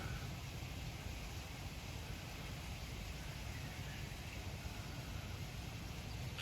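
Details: Steady hiss and low rumble like distant traffic or wind, with no clear animal calls.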